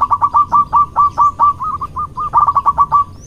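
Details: Local male zebra dove courting with a big voice: a fast string of short, clipped mid-pitched coos, about twenty notes, steady at first, softening briefly in the middle, then a quick loud burst before tailing off.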